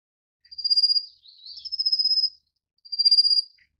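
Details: A Rufous-faced Warbler (Abroscopus albogularis) feeding chicks gives three very high, thin, buzzy trills, each under a second long and made of rapid pulses, against a quiet background.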